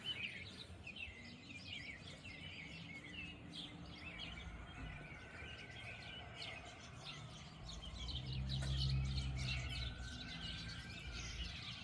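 Common swifts giving shrill, buzzy screams, many short overlapping calls in quick succession, over a steady low rumble of background noise.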